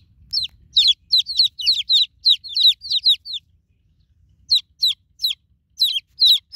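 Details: Newborn chicks calling for their broody mother hen: a rapid run of thin, high, down-slurred peeps, a silent gap of about a second, then scattered peeps again, with faint low rumble early on.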